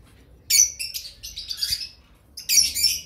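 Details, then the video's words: Two-week-old cream cockatiel chicks begging: harsh, raspy, high hissing squeals in bursts, one long churring run between two shorter loud outbursts. "Two Weeks old Careem cocktail Chicks"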